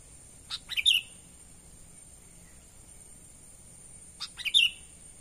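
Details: Natural call of a sooty-headed bulbul, used to lure wild birds: two short bursts of a few clipped notes sliding downward, about 3.5 seconds apart, over a steady faint high hiss.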